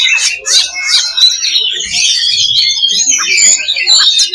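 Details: Oriental magpie-robin, known locally as kacer, singing in a fighting simulation aimed at building fighting spirit: busy high-pitched warbling packed with quick chirps, buzzy notes and brief whistled slides, running without breaks.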